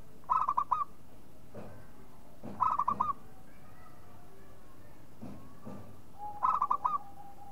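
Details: Three staccato cooing phrases from a local zebra dove, roughly three seconds apart, each of four or five quick notes, with soft thumps and knocks between them.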